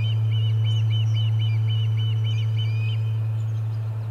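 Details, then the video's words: Agitated Ospreys at the Charlo nest, 30 July 2020, with a fish arriving: a brisk series of paired, slurred whistles for about three seconds, ending in an upward-sliding note, over a droning low hum. "Lots of Commotion and a Fish Delivery - Charlo Osprey Nest"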